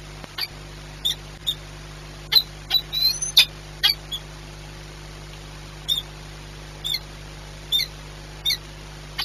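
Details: Peregrine falcon at Orlen Płock, Poland, 22 March 2021, afternoon: a string of brief, high, clipped chip notes, about a dozen, spaced unevenly, some in quick pairs, against a constant low mechanical hum.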